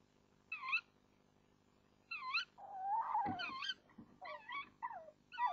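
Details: Tawny owls, a pair, on 1 April 2014 at 05:08, recorded by a webcam as the male hands a mouse to the female and chats with her from a branch before leaving. Short squealing harmonic calls in bursts of two or three, with rustling near the middle.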